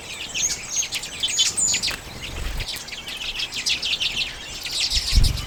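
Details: Several common redpolls eat sunflower seeds in late January 2022, captured on a Canon EOS M50. Rapid high twitters and buzzy chirps pour out in bursts, with brief low knocks near the start and end.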